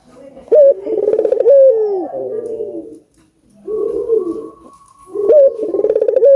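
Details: Albino collared dove cooing vigorously to prompt other doves to call: a purring, pulsed coo, a pause with softer lower notes, then another rolling coo.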